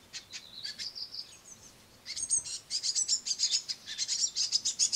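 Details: Noisy great tit nestlings on a window sill begging as a parent bird brings crushed madeleines: a few thin high notes, then a loud run of rapid, shrill chirps from several chicks at once.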